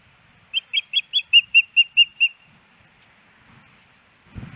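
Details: Female osprey on a camera-watched nest, Hellgate Canyon, Missoula, Montana, 10 September 2018, calling for the male's fish: nine high, clipped whistles delivered fast and evenly, then near silence and a brief low thump at the end.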